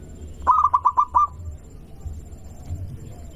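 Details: Single phrase from a local zebra dove, used as a lure so other doves reply: six rapid, bubbling cooing notes, then quiet over a low background rumble.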